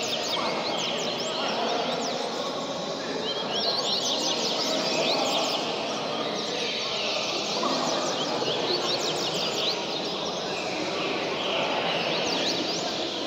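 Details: A young rusty-collared seedeater trained for speed singing gives rapid runs of sharp, high chirps and quick slurred notes over a dense, hissing background with faint voices.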